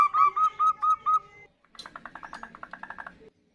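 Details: Female zebra dove calling the male: a run of six bright whistled coos on one pitch, followed by a softer, buzzier series of rapid pulsed notes.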